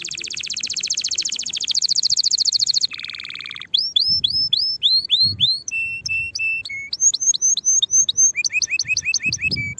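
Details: Singing canary, used to teach young birds early for next season: a dense high buzzing trill, a lower rattle, then a series of rising whistled slurs and steady held notes in quick succession.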